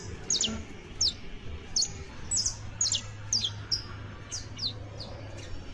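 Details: Saffron finch song used to tutor creole canaries: spaced, sharp descending chip notes, sometimes paired, spread across several seconds over a low steady hum.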